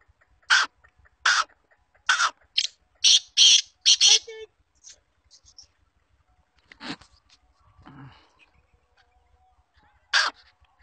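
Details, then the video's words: Female black francolin (kala teetar), a trained bird, giving a quick series of harsh, broadband notes, then falling silent while a person speaks, with one more note near the end. "kala teetar ki awaz | teetar voice female"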